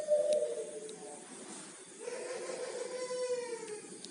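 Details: Local Majapahit udan mas zebra dove, a red-eyed, golden-yellow bird with full barring, gives two soft, mellow cooing phrases, each a low rolling coo that trails off, about two seconds apart, with faint room hiss behind.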